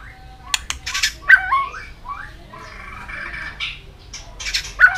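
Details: White-rumped shama in peak form, singing and flicking its tail continuously. Scattered harsh, buzzy notes are mixed with short sliding whistles and a few loud clicks across the phrase.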